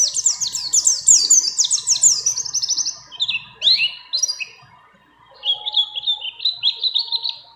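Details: Mountain white-eye, a female in breeding condition calling to a male, performing a rapid singing style mixed with other birds' phrases: fast runs of sharp high chirps, brief pauses, then another quick chattering series, with a faint steady hum beneath.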